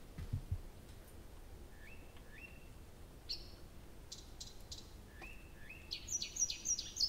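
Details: Nightingale at night in Abramtsevo, early June; sparse song of short rising whistled notes, buzzy high bursts and, at the end, a quick run of sharp high ticks, with long quiet gaps.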